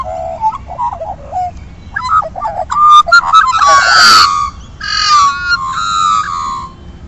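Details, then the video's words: Australian magpies singing together during breakfast in Centennial Park, Australia: low fluty warbled phrases building into loud, dense carolling with harsh rasping bursts and overlapping whistles, very close and clear against a quiet background. "Magpies sing in Centennial Park"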